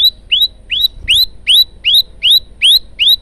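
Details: Male prinia recorded for song training, giving clear rising upslurred whistled notes repeated evenly about two or three times per second, loud and close.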